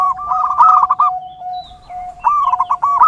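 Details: Zebra dove song (perkutut) recorded for training and luring birds: two bursts of quick, bubbling cooing notes with a steady lower tone running beneath and between them.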